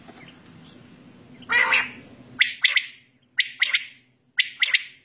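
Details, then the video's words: Quail at night: one rough, broad burst amid background rustle, then three crisp double- and triple-note phrases at roughly one-second spacing in near silence. "Raat Battair Sound Ek Saath"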